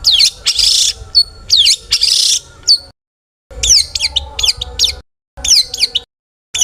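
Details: Long-tailed shrike singing to provoke rival shrikes to sing: harsh buzzy rasps and clipped notes, then after a short gap quick series of steep down-slurred whistled chirps in clusters, separated by brief silences.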